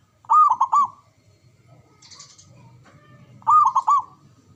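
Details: Male zebra dove calling twice, about three seconds apart, each phrase a fast series of bouncy, looping coos, with a short burst of high buzz and soft low rustling between.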